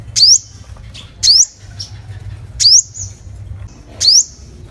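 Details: A lure recording of a sunbird, called 'hút mật 5 màu' in Vietnamese, giving thin, high, rising call notes about every second and a half, with softer notes between them and faint background hiss.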